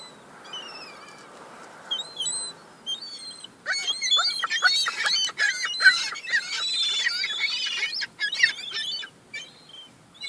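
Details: Fighting over crumbs, young gulls start with a few isolated whining notes, then erupt into a loud, rapid cluster of harsh squeals and clipped cries before tailing off.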